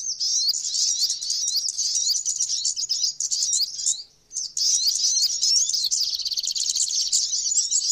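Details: Flowerpecker song: dense, high-pitched twittering of rapid thin chirps and short slurred notes, almost continuous, with one brief pause midway.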